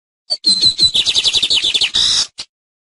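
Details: A short, high teaching song of the lined seedeater: a brief whistled note, then a fast run of clipped chirps that speeds into a buzzy trill and ends with a harsh rasping note and a final soft click.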